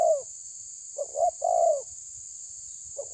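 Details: Spotted dove confronting a rival: a complete phrase of short rising notes ending in a long falling coo, framed by fragments of other phrases, with a continuous high-pitched hiss.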